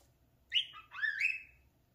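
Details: Pet parakeet playing at a mirror gives two short whistled phrases indoors, a brief slurred note followed by a longer wavering, rising-then-falling whistle.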